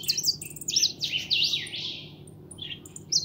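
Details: Pintón European goldfinch, a young kept bird, pouring out lively high twittering with buzzy slurred phrases, easing off midway and picking up again with a sharp note at the end; faint low hum beneath.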